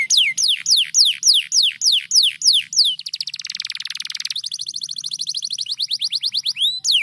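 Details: Canary singing a steady series of loud descending whistled sweeps, about three per second, then breaking into a fast, even, high trill with a buzzy rolling section, ending on a rising sweep.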